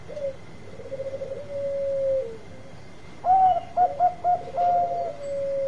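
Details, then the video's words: Zebra dove of Bangkok stock, used for luring, delivers a soft rolling trill and a drawn-out coo, then a few loud clipped notes and a steady sustained coo. "Perkutut Bangkok Gacor Suara Untuk Pikat Cepat Nyaut Bunyi"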